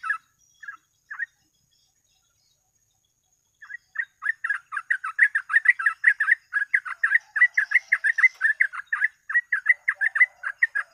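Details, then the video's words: Trucuk, the yellow-vented bulbul, singing as a lure for trapping birds. Three isolated notes are followed by a long silence, then an unbroken stream of quick, gurgling, mid-pitched notes about three per second. "BURUNG TRUCUK FULL GACOR ROPEL"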